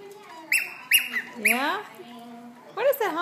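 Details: Pet cockatiel whistling while on a ladder: a few short, clear whistled notes with quick up-and-down bends, mixed with a man talking to the bird.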